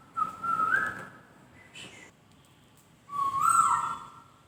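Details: White-crested laughingthrush (poksay) song: two fairly soft whistled phrases that swell and rise in pitch, with a faint short note between them and light background hiss.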